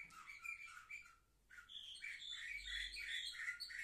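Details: Seven-month-old canaries recorded on 10 November 2023 singing warbled phrases, a short pause, then a fuller burst of bright rolling trills and chirps.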